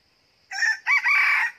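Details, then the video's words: Red junglefowl decoy rooster, a new bird tried out of season at a second trap site to lure wild junglefowl, gives a short harsh crow of about one second in three rough segments against a quiet background with a faint high hum. "ต่อไก่ป่า ลองไก่ใหม่ลอบที่2"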